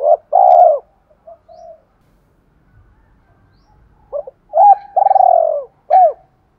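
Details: Decoy spotted dove in a thổ sấm voice style, cooing to call in and provoke wild doves to fight: two low hoarse coo phrases separated by a quiet gap, the second with a long rolling middle note.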